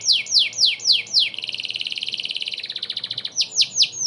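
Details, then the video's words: Energetic canary song meant for teaching White-rumped Shamas: loud descending whistled swoops, then a fast buzzy trill that slows into separate chirps, ending with more falling swoops. "Masteran kenari gacor cocok buat burung Murai Batu."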